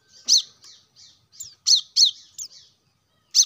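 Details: Plain-throated sunbird, a lure recording for caged birds that sing too little: a loud high chirp, faint twitters, then a quick series of sharp notes and one last chirp at the end.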